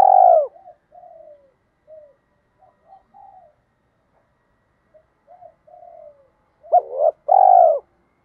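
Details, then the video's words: Spotted dove cooing in the local 'giọng thổ' voice style, played as a lure for training newly caught doves: loud, deep rolling coo phrases open and close, with softer short hooted notes scattered between, on a quiet background. "tiếng Cu gáy mồi giọng thổ"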